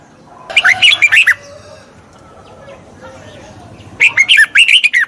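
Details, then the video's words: Red-whiskered bulbul song for training a wild-caught bird: two lively bursts of quick, warbling whistles about three seconds apart, with faint low background noise between. "Tiếng chào mào luyện giọng chim bổi. นกปรอดหัวโขน"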